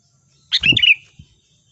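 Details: Sooty-headed bulbul, played as a lure sound for bird trapping: one short bubbly, whistled phrase of a few quick slurred notes, rising and falling, with a soft low thump at its start and a faint tap afterwards.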